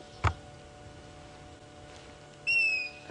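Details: African grey hornbill gives a single clear, slightly falling whistled note, preceded by a brief click, over a steady low engine hum, during an afternoon safari drive near Djuma Game Reserve, South Africa, 6 June 2016, in winter.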